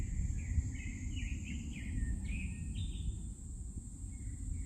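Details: Morning birdsong in a forest: a series of short slurred chirping notes in quick succession, rising and falling, over a steady low rumble and a constant high hiss.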